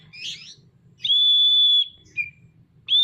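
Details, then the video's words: Singing Oriental magpie-robin with its tail spread. A brief buzzy chatter opens, followed by one long steady high whistle, a short lower note, and the start of another whistle, with a low hum underneath. "Burung Kacer gacor buka ekor"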